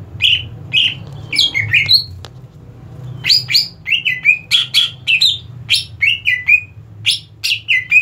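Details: Greater green leafbird (cucak ijo) presented as ready for competition, singing a lively run of varied chirps, whistles and slurred notes, repeated rapidly in short phrases over a faint low hum.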